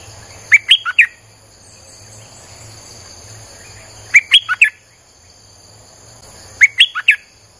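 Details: Lure recording of a streak-eared bulbul: three short phrases, each of four sharp rising-and-falling chirps, repeated every three seconds or so, with quiet high-pitched insect drone between them.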